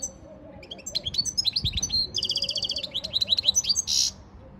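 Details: Training song of a European goldfinch, dated 15 February 2024. Tinkling, high twitters and slurred chirps tumble along for about four seconds, with a short rattling buzz in the middle and a harsh burst near the end.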